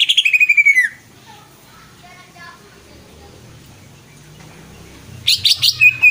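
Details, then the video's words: Greater green leafbird singing loud pulsed bursts of rapid high notes, the first trailing into a falling whistle, then a long quiet pause with faint soft notes before another burst of sharp pulsed phrases and a clear whistle. "CUCAK IJO"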